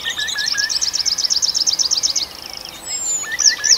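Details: Birds singing at night in a forest in Arkhangelsk Oblast in June: a fast, steady series of high chirping notes for two seconds, with lower short whistles beneath, then high sliding notes near the end.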